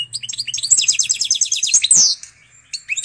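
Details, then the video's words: Canary x Portuguese goldfinch mule singing a fast run of crisp repeated chirps building into a rapid high twitter, ending in a strong buzzy note, a brief pause and a few final whistles. "Pintagol de canaria x pintassilgo português canta muito!"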